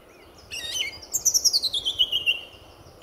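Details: Male song thrush singing at RSPB Fowlmere in early morning, February 2014, just before sunrise: after a brief chirp, a quick run of about ten bright notes slides steadily downward in pitch over two seconds, against a quiet background.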